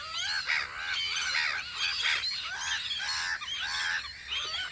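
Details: A flock of gulls calls on Audru polder in spring, giving nasal, harmonic-rich cries that overlap in a steady chattering din.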